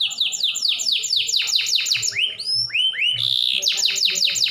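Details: Canary song used to set other canaries singing: long rapid trill of falling sweeps, rising whistled slurs, a buzzy burst, then the fast trill resumes.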